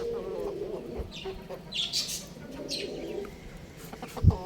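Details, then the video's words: Young rooster playing on a roof gives low harmonic clucking calls at the start and middle, mixed with brief high chirps and a loud thump near the end. "Amazing Rooster Chirping Sounds"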